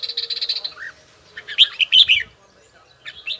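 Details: Red-whiskered bulbul practising a bell-tone song: a buzzy rapid trill opens, followed by a low slurred note, a loud jumble of bright whistles and a final soft chirp.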